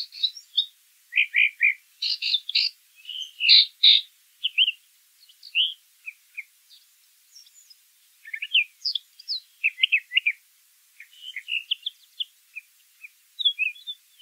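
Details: Wild brown thrasher in song: varied phrases of sharp chirps and buzzy notes delivered in quick bursts, several phrases doubled, separated by short silences over about fourteen seconds.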